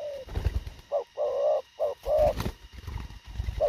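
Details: Spotted dove cooing in a rapid, short style: a series of mellow, hollow notes, some drawn out and others clipped, with brief gaps between them, over low rumbling background noise and thumps.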